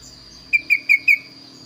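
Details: Vigorously singing kaso-kaso bird with a unique, varied voice. Four quick, evenly spaced bright whistled notes, slightly falling in pitch, with a constant thin high tone and soft low hum in the background.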